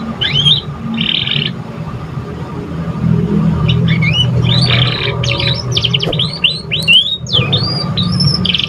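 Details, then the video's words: Juvenile canary practising its song: a few downslurred whistles and a buzzy trill, then a dense run of quick sweeping chirps and trills, over constant low rumbling background noise. "Pancingan kenari paud baru belajar bunyi cocok buat rangsangan"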